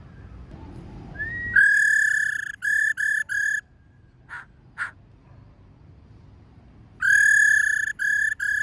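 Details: Female laughingthrush giving the 'ro' call used to stimulate male birds: a rising slur, then a long harsh, buzzy, rich-toned note followed by two short ones. The phrase repeats after a quiet gap with faint soft notes between.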